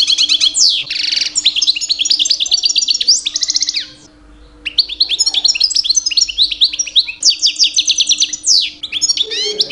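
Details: Two-year-old pet European goldfinch in mating-season song meant to attract females: long, dense, rich medley of fast trills, buzzy notes and sliding whistles, with one brief pause midway; quiet background hum.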